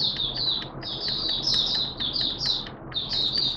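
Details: Malaysian oriental white-eye, a hobby songbird, singing openly: continuous high thin twittering and slurred warbles, somewhat muffled with steady background noise throughout.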